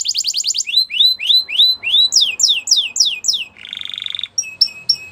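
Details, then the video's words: A training song for young canaries from a Belgian canary: fast high notes, rising then falling slurred whistles in steady series, a brief buzzy trill, and closing downward chips. "Belgian Canary Singing Makes Your Canary Sound !! Best Training"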